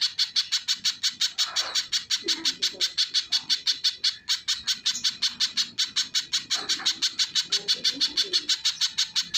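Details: Little spiderhunter in full, loud song: shrill, sharp notes repeated rapidly at nearly three per second in an unbroken series, with faint lower sounds underneath.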